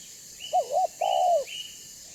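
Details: Spotted dove, banggo style, calling to lure others of its kind; one phrase of a brief wavering double note and a longer, smoothly falling mellow coo, with a faint high thin whistle alongside.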